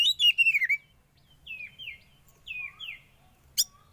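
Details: Oriental magpie-robin, young and wild-caught, kept caged during sauna therapy, singing a fast run of slurred whistles followed by spaced, clear downward-sliding notes and one final sharp tick.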